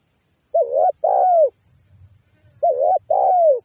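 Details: Spotted dove, a natural call suited to luring birds: two phrases, each a wavering hooted note followed by a longer coo that bends down at its end. A continuous shrill hiss and soft low murmurs are heard behind.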